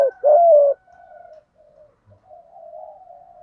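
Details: Spotted dove, thổ voice style, used to provoke a rival male: one loud drawn-out low coo at the start, then only soft faint tones trailing off.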